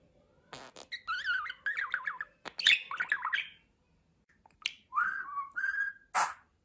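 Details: Pet budgerigar talking: raspy, speech-like bursts mixed with rapid warbled chirps and zigzag whistled notes, in two busy phrases separated by a short pause, indoors.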